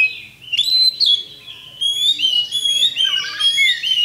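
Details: Champion Oriental magpie-robin (kacer) lure song meant to provoke rivals to fight: clear, sweet whistled phrases around a steady high pitch with brief sliding notes, continuous and loud.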